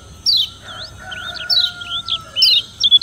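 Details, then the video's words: Kecial kuning, the Lombok yellow white-eye, in challenging song aimed at rivals: scattered high, thin, curving whistles and chirps, over a steady faint lower whine running through the background. "Kecial Kuning Suara Menantang Ampuh Bikin Lawan Ribut dan GACOR"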